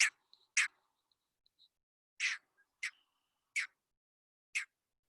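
A Green Heron gives six sharp, harsh, explosive calls at uneven gaps of roughly a second, with a few faint soft notes between them.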